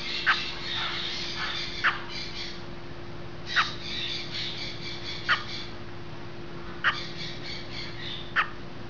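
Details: Great green macaw at hatching gives three harsh, raspy squawking bouts about three seconds apart, each punctuated by sharp clicks, over a steady low mechanical hum.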